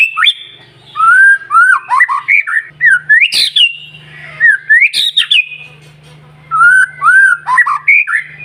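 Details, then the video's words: White-rumped shama song used to stimulate other shamas to sing: loud, varied whistled phrases with rising and falling notes between mid and high pitch, sharp upswept accents, and short pauses between bursts; faint low hum beneath. "PANCINGAN MURAI BATU SUPER NGOTOT,DI JAMIN BURUNG MURAI JADI GACOR"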